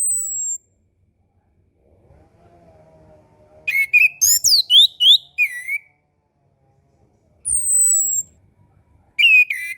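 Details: Orange-headed thrush song used as a tutor for young birds learning to sing and for birds reluctant to sing after moulting: a high thin whistle, a faint low hum, then a rapid burst of sharp varied phrases, another thin whistle, another burst.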